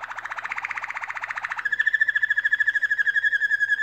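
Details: A canary sings while the pair builds a nest: a fast, buzzy rolling trill shifts into a purer, higher whistled trill with rapidly beating pulses that continues to the end.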